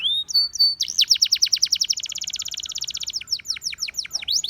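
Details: Canary, said to be a Russian singing canary attracting others, opens with a rising whistle and steady tone, then pours out a long rapid rolling trill of sharp repeated notes that slows into looping sweeps.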